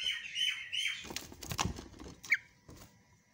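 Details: Javan myna call meant to prompt silent mynas to call again: a few strained whistled notes at the start, then loud harsh rasping and clattering bursts, and a single sharp squawk near the end.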